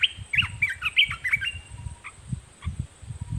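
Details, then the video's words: Olive-winged Bulbul kept as a decoy, singing at wild birds: a quick string of clear, looping whistled notes that rise and fall, then a few isolated chips. Low rumbles and a thin steady whine are behind it. "นกปรอดสีไพลใหญ่ นกต่อเจ้าหยก ร้องริกใส่นกป่า!!"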